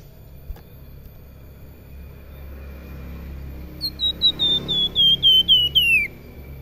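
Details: Salakan in active full song: after a few quiet seconds comes a fast series of about ten clear whistled notes that slide steadily downward in pitch, with a low background hum.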